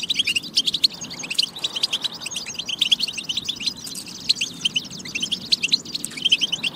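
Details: Goldfinch song, European, used as a batba to encourage singing and readiness: unbroken high twittering with sharp tinkling notes scattered through quick chattery runs.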